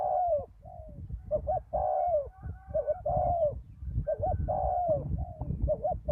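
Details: After a storm, a spotted dove decoy on a ground lure site and a deep-voiced wild bird trade soft, hollow coos: quick two-note hoots, then drawn-out descending notes, repeated steadily over low rumbling noise.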